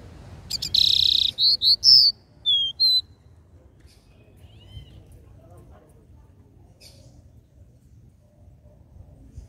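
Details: Capped seedeater's regional three-note "dó ré mi" song. A rough buzzy start turns into a rapid series of whistled notes within three seconds, followed by near silence.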